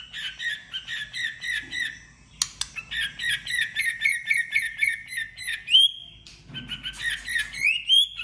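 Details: White-rumped shama in competitive singing: dense fast chattering and trilled notes, a click, then rising whistles and more rapid chatter.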